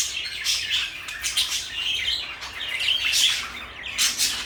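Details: Scratchy, warbling chatter from two companion parakeets, one blue and one light yellow, with short whistled notes woven among harsh chirps in continuous rapid succession.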